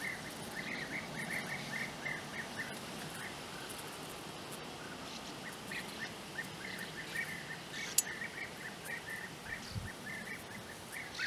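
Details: European bee-eaters near their nest burrows in flat country at Puszta Eldorado give their typical short, rolling, liquid 'prruip' notes, repeated many times a second by several birds, over a steady outdoor hiss.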